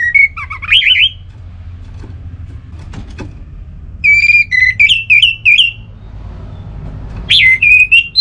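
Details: Orange-headed thrush singing actively as a lure recording to prompt other thrushes to sing fully: loud, clear whistled phrases with rapid warbled turns, one burst at the start and another after a three-second pause, ending in a brief final phrase.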